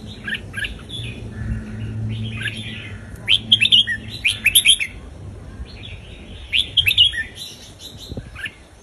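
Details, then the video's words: Caged Indonesian red-whiskered bulbul singing a southern Thai folk-style song, played to teach young birds and rouse other birds; bright chirpy phrases in quick bursts of rising and falling whistled notes, separated by short pauses, over a low background hum. "นกกรงหัวจุกอินโดเพลงพื้นบ้านนกใต้เพราะๆ เปิดสอนลูกนก ยั้วนกฟังนกคึก"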